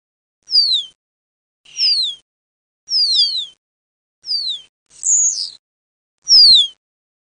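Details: Common starling lure mix for hunting starlings: six clear, high, steeply down-sliding whistles about one a second, with one buzzy chattering note among them, against silence.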